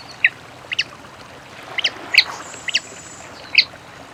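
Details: Papa-piri singing in nature: short bright chipping notes given singly or in quick pairs at uneven intervals, about six in four seconds, over a steady hiss of background noise with a faint thin high tone in the middle.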